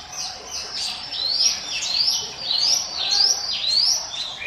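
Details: Hill Prinia in 'ngiwit wit' song, used to lure other birds: clear, high upslurred whistles given in a steady run, each sweep climbing sharply, about two per second.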